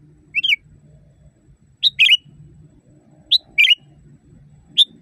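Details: Training recording of a sooty-headed bulbul for caged birds, strong wild-type voice: clear whistled phrases, a short upslurred note followed by a quick warbling double burst, roughly every one and a half seconds, with a soft low hum underneath.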